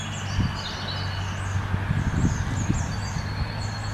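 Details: A pair of long-tailed tits nest building by a New Forest lake in England, with repeated high, slurred call notes running throughout over a steady low hum and some rustling.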